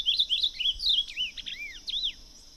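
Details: An Ultramarine grosbeak in the wild sings a quick, rich warbled phrase of sliding whistled notes, high and varied, over a steady high-pitched insect drone; Ultramarine grosbeak.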